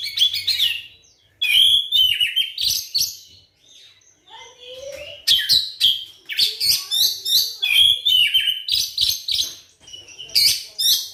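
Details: Kacer song meant to provoke other shamas into song: long sequences of loud, varied whistles and rasping notes in rapid repeated phrases, with a brief quieter stretch midway and a faint low sound.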